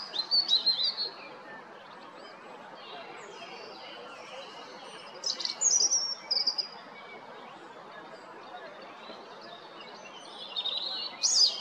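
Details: European robin singing at Jarun in Zagreb, Croatia, on 13 April 2022: three short bursts of high, tinkling, varied warbles separated by pauses of several seconds.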